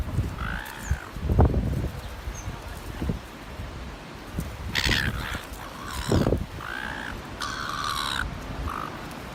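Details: Seagull at North Shore bullying others so they cannot feed: intermittent harsh, nasal squawks and longer wailing calls amid bumps, thuds and wind rumble.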